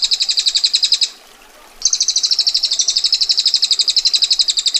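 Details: A female bar-winged prinia rattles out its long, dense ngetir trill of high, clipped notes. It pauses for under a second, then resumes the same rapid, even chatter to the end.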